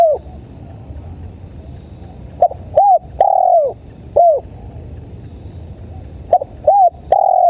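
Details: Tekukur (spotted dove) cooing for bird-luring playback. Soft curved notes build into longer mellow coos, with several phrases close together over a constant low murmur and faint high ticking.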